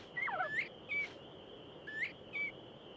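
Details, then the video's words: Northern Bobwhite comeback call, used to reassemble the covey after it flushed from a bobcat: clear whistled notes, slurred and rising, four or five in three seconds, over a steady high-pitched hum. "a comeback call is used to reassemble the Covey"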